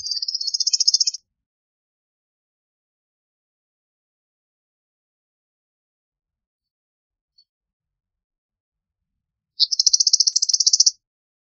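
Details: Eastern meadowlark giving two dry, buzzy chatters, each a rapid run of high clicking pulses lasting about a second, separated by nearly eight seconds of silence.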